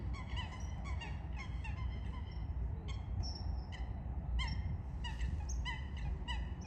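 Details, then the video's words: Eurasian coots fighting: clusters of sharp, tinny calls in quick bursts with short pauses, a few higher squeaky notes mixed in, over low background rumble. "Лысухи и другие птицы. Драка и не только"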